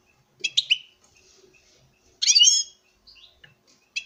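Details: Captive male European goldfinch, kept for breeding, singing while courting a female: short bursts of high, bright twittering notes, then a louder ringing, buzzy trill near the middle, with quiet pauses between phrases.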